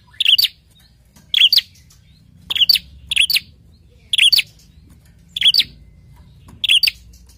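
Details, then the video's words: A prinia, stirred up and calling back as soon as prinia sound is played, gives sharp, high chirping bursts, each a quick cluster of bright notes, repeated about every second and a quarter over a quiet background. "Sekali putar prenjak langsung emosi dan ikut bunyi"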